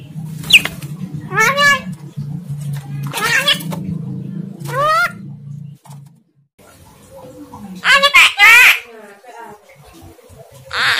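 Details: Javan myna attempting words, indistinct: several short wavering voice-like syllables over a low hum, a pause, then a louder burst of harsh squealing notes.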